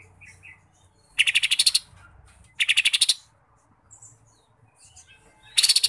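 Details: Mini green leafbird singing in jamtrok style, its song filled with kapas tembak mimicry: three bursts of rapid, harsh, evenly pulsed trills, each about half a second long, separated by quiet gaps with faint chirps.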